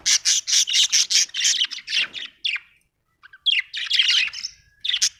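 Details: Happy budgie, an Australian bird, opens with a fast run of evenly repeated harsh chirps, then slurred warbles, a brief pause, and renewed scratchy chattering with a short whistled note.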